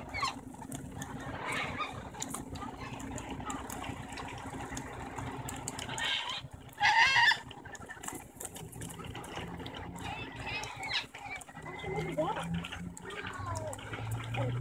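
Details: White cockatoos near a car give harsh, raspy screeches, with one loud burst midway among scattered squawks, over a steady background hum with faint traffic.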